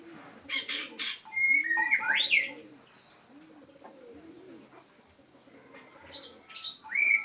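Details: Kept bird singing indoors: soft, low repeated cooing phrases run through the recording, with a few loud rising whistles and high chirps on top.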